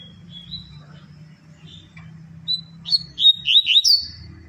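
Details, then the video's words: Double-collared seedeater singing the tui tui style, kept in captivity. Thin, level whistles open the phrase, then a run of rapid, slurred, up-and-down notes follows. A low room hum sits underneath. "COLEIRA TUI TUI ZEL ZEL"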